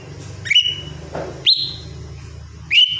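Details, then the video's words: Morning routine of a lesser green leafbird: three clear whistles, each with a quick upward sweep and a long flat tail, roughly a second apart, over a steady low hum and a soft noise burst. "cucak ijo mini RUTINITAS bunyi di pagi hari"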